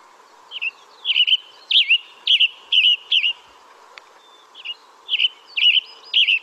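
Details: A Western Tanager, a Lake Tahoe bird, sings short, hoarse, burry or slurry phrases like a husky robin, in twos and threes with brief pauses, over a low steady hum.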